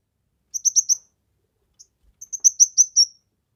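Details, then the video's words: Kemade chirping energetically for a bird-training and lure recording: a short run of four quick, piercing high notes, a lone soft tick, then a longer accelerating string of bright chirps ending in a drawn-out note. "Burung Kemade GACOR...Cocok untuk MASTERAN, PIKAT DAN PANCINGAN"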